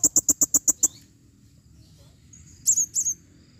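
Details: Female blue-crowned hanging parrot calling, opening with a rapid run of seven sharp, high clicking chips, then a pause and two thin, squeaky high notes.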